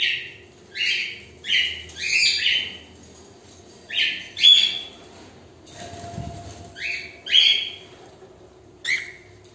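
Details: Female cockatiels give short, harsh, screechy chirps that fall in pitch, repeated in irregular bursts.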